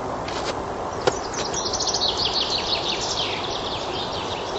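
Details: Spring forest song of a common chaffinch: one rattling phrase of rapid notes that descends in pitch and ends with a short flourish, preceded by a sharp click, with constant low background noise.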